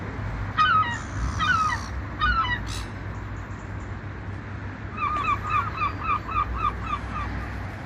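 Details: Seagulls flying above the ocean utter a few loud strident cries, then after a pause a rapid even string of short yelping notes, all over a low continuous rush of surf.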